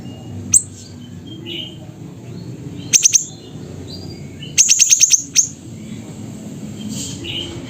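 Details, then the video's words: Siri-siri bird singing in Pidie, Aceh, Indonesia: scattered bursts of very high, quick chip notes, a lone chip, a fast triple, then a rapid run of about six, with faint bird calls in the background. "Burung Siri Siri Nembak Suara Gacor"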